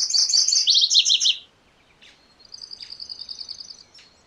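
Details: Rapid burst of high, slurred chips from a MacGillivray's warbler, about a dozen notes in under a second and a half, dropping slightly in pitch toward the close. A fainter, even trill of sharp high notes follows, with a steady background hiss.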